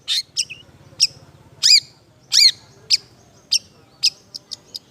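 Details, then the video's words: Long-tailed shrike in semi-active 'isian' song, filled with mimicked phrases: short high chirps and sharp tweets spaced under a second apart, broken by two harsher down-slurred buzzy notes, with a faint low hum underneath. "BURUNG CENDET SEMI GACOR ISIAN"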